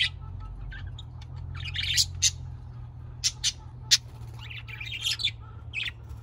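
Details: Budgerigars calling: bursts of scratchy, buzzy chirps and squawks in short clusters, with a steady low hum beneath.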